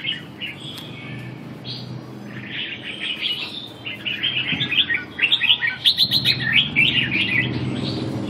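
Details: Red-whiskered bulbul in a song training session on 2 June 2012: quiet scattered whistles at first, then a loud run of bright, warbling, rapidly repeated phrases in the second half, over a low background hum.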